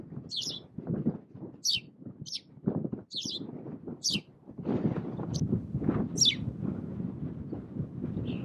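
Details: A Spanish sparrow on Fuerteventura, Canary Islands, in February 2017, gives short, bright, falling chirps at an irregular pace, about one per second, over a steady low rumble of wind or background noise.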